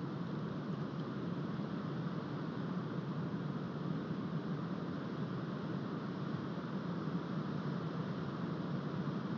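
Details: Steady broadband rushing noise, like wind or distant engines, with no animal sound.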